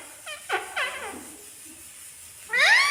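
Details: Indian green ringneck parakeet, a pet talking parrot, mimicking human speech in Hindi: a few short harmonic syllables followed by a louder rising-and-falling squawk-like utterance at the end.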